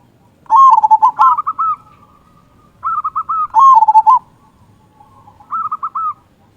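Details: Persistent local zebra dove with a big 'kung' voice, used to stir other doves into song: loud rolling coo phrases trade with quieter, higher staccato bursts, repeating about every three seconds.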